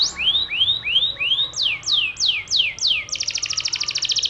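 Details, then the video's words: Yellow canary giving konslet-style song: a series of slurred, rising-then-falling whistled notes about twice per second, then an abrupt switch to a very fast, buzzy, rattling trill. "Kenari kuning Konslet"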